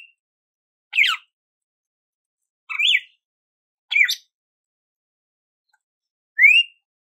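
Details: Red-cowled cardinal singing four spaced whistled phrases, falling slurs then a clean rising whistle, in quiet surroundings.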